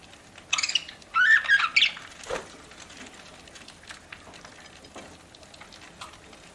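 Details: Parakeet at its food: a loud, squeaky warbling chirp burst early on, followed by a single thump and then quiet, irregular clicking as it keeps eating.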